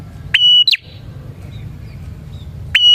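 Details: Bar-winged prinia singing, used to lure prinias: a loud, clear held whistle snapping into a short chip, a brief pause with faint twitters, then the next whistle starting.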